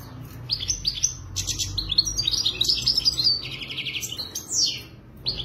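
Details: European goldfinch in Morocco delivering a loud, fast twittering song of sharp high chirps, rattling buzzy trills and liquid notes, closing with a few separate calls.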